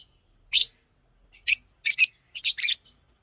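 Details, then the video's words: A green Fischer's lovebird kept indoors chirps in rasping bursts: a lone note, another, then a double chirp and a tumbling trio of scratchy calls. "Lovebird singing and chirping sounds-Green Fisher"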